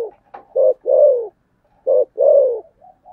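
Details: Spotted dove cooing in the 'thổ sấm' voice style, 'thúc gù' cooing: two short low notes, then a long, drawn-out coo that slides downward. The pattern repeats twice in a quiet setting.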